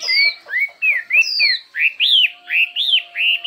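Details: Chinese hwamei competing in song: a steady series of loud arched whistled phrases, each rising then falling, about two per second, opened by two long high descending whistles.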